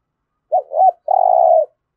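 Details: Spotted dove coo in the 'thổ' voice style, used to get caged birds calling: two quick curling notes followed by a sustained, level, burred coo, single phrase in silence.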